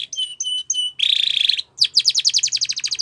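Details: Spanish Timbrado canary singing, training material for young canaries: three short clipped double notes, a dense metallic buzzing roll, a brief gap, then a rapid pulsing trill.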